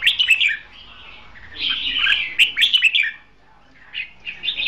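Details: Caged red-whiskered bulbul used as a decoy for trapping, singing its competitive fighting song: bright, warbled phrases of slurred whistles, bursts of loud notes separated by short pauses.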